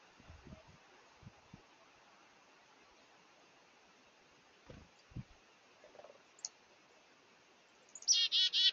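A black-capped chickadee gives a quick, harsh run of buzzy 'dee' notes at the very end, after a quiet stretch with a few soft thumps and one thin high note.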